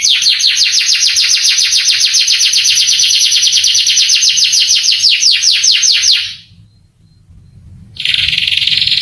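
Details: Canary tutor song for provoking young birds to answer; a long, steady rapid trill of repeated notes for about six seconds, a short near-silent pause, then a new buzzy rolling phrase begins.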